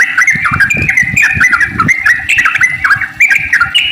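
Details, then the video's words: Sooty-headed bulbul giving a long, rapid 'ropel' song used as a lure to get other bulbuls singing: dense run of bubbly, warbled notes that dip and rise, with low thumping noises underneath. "trucukan gacor ropel panjang buat pancingan trucuk agar bunyi"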